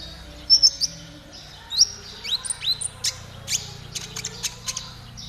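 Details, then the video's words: Konin trotol song used to coax caged birds into singing fast: thin, very high, quickly rising chirps and sharp clicks, loosely spaced, roughly one every second. "TERAPI KONIN TROTOL AGAR CEPAT BUNYI || MASTERAN KONIN TROTOL GACOR"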